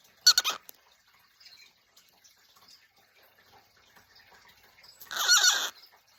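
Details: A pet cockatiel in the morning gives two harsh, raspy screeches several seconds apart, with quiet indoor sounds between.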